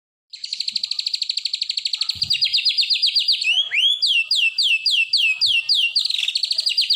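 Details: White-rumped shama song with a fast run of rolled, repeated high notes, then a series of rising and falling whistled slurs repeated about three per second, used to train other shamas.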